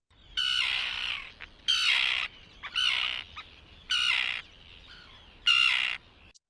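Common Tern giving five harsh, grating, downslurred kee-arr calls, each about half a second long, spaced roughly a second apart; nothing else heard.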